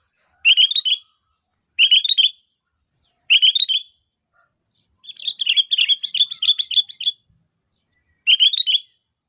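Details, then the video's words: Vocal sooty-headed bulbul calling as a lure for other bulbuls: loud bubbly three-note phrases repeated every second or so, broken by a longer two-second run of rapid chattering notes. "Suara Asli Kutilang Gacor Memanggil, Kutilang Pasti Nyaut"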